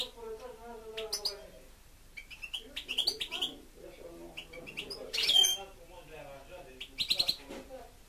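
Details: European goldfinch (Carduelis carduelis), a pet bird, singing bright, tinkling twitters and quick high chirps in short bursts, with lower voice-like sounds running underneath.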